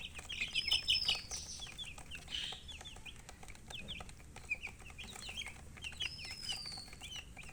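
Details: A brood of baby chickens chirping nonstop, many short, high, downward-slurred peeps overlapping at a quick uneven pace, louder in the first second, with a faint long whistle later and a low background hum.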